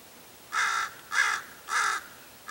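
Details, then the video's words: Common raven, from a flock, at Paramount Ranch, Santa Monica Mountains, California, on 30 January 2021. It gives three harsh, mean-sounding croaking caws, each about a third of a second long, roughly every half second. "Mean Raven Call"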